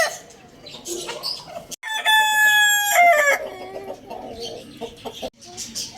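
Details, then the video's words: A Lohmann Brown rooster crows at Lalukhet bird market: one strong, ringing crow of about a second and a half, its harmonics bending downward at the close. Busy chirping and clucking from other birds comes before and after. "Rooster Crowing Compilation | Rooster Crowing Sound Effect"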